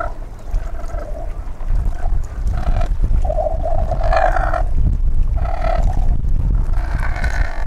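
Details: Cormorant croaking in a series of drawn-out, throaty groans, each lasting about a second with short gaps between them, over heavy low-pitched rumbling background noise.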